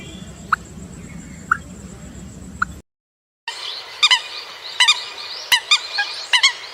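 American coot giving short nasal puhk notes about a second apart over a low rumble, then harsher, clucking double notes in quick bursts after a brief gap.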